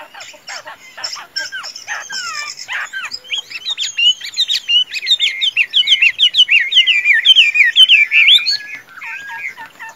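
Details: Tame caged Chinese hwamei, described as a fine singer and good fighter. Dry clicks and rattles open the clip, then a loud, fast warble of rising and falling whistled notes runs continuously from about four seconds to near the end.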